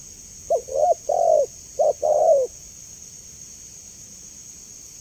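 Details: Clear spotted dove call used as a master sound for training kept birds: one phrase of low coos, two short notes then a longer one, repeated once, followed by quiet with a steady high hiss.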